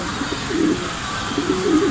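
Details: Racing pigeons caught in rain on return from race training from Gapan, Nueva Ecija: low soft cooing in two bursts, the second a rolling, wavering coo, under a steady hiss of rainfall.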